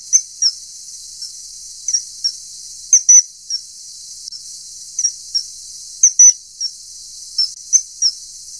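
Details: Common kingfisher (Alcedo atthis) uttering piercing high whistles, singly and in brief doubled bursts, spaced irregularly over steady background hiss.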